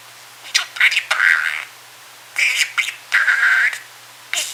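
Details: Sleepy male pet budgerigar, kept indoors, mumbling and chattering while trying to nap: bursts of scratchy, buzzy warbles and squeaky chirps, separated by short quiet pauses.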